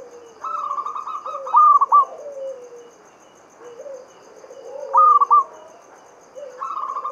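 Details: Lure song of a local Javanese zebra dove, Mataram standard rhythm, meant to set other doves singing. Rolling trilled coos break into punchy three-note phrases twice, while softer falling coos sound lower down.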